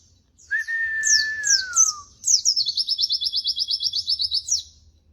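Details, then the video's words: White-eye known locally as pleci, singing in lively 'gacor' style for tutoring: a sustained, gently descending whistle, three quick downward-swept chirps, then a fast, even, high trill held for about two seconds. "masteran bahan burung pleci terbaik"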